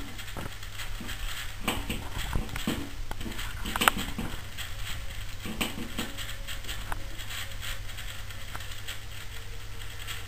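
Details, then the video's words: A male Eurasian bullfinch in breeding season, its mate likely incubating, knocks at a door several times daily for weeks, possibly fighting its reflection in the glass: sharp, irregular taps, about a dozen in ten seconds, over a low hum. "Un bouvreuil frappe à la porte"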